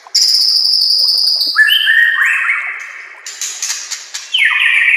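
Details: White-rumped shama song used as a master recording for training other shamas: long clear whistled notes held at high pitch, then lower sliding whistles shifting step by step, ending with a strong steady whistle.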